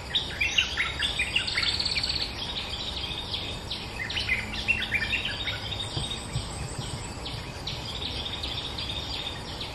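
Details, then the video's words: Bulbul lure call, described as a fierce territory holder: a busy run of quick chirping, warbling notes that repeat over and over, with steady insect buzz and outdoor noise behind. "เสียงนกดอกแตงEp.222จ้าวถิ่นห้าว!!(แต่ไม่สุด) Suara pikat merbah lekir gacor"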